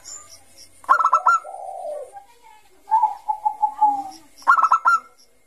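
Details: Zebra dove, Bangkok type, singing 'gacor ngayer' as a lure for young birds: a burst of rolling notes, a drawn coo, then a quick series of short coos, with the rolling burst returning at the end.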